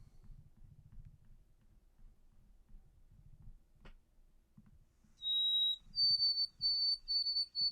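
White-throated sparrow: a pure, held whistle followed by a step up to higher whistled notes, repeated in a quick stuttering series. Faint low rumbling comes before.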